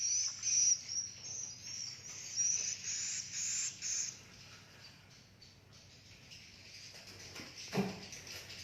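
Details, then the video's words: Swiftlet communication sounds: dense, high twittering chirps in quick bursts for the first four seconds, then fading to faint, scattered chirps with a brief low thump near the end. "suara asli walet"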